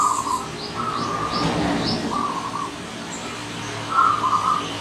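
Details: Visiting wild zebra dove giving several rapid, purring coo phrases separated by pauses, while thin high chirps from other small birds sound in between.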